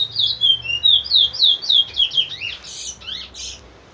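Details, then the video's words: Towa towa song from a large-billed seed finch kept as a teacher bird for training others: a brisk series of bright descending whistles, then harsher, buzzier squeaky notes near the end as the phrase fades. "towa towa linden bird"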